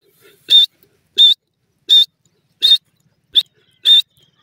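A partridge gives six sharp, high, squeaky calls, one about every 0.7 seconds, each a brief harsh note with a faint lower grunt beneath it.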